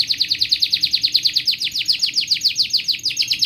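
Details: Long canary song meant to stimulate young canaries learning to sing: a rapid, steady trill of bright descending notes, slightly slowing and broadening toward the end, clean background.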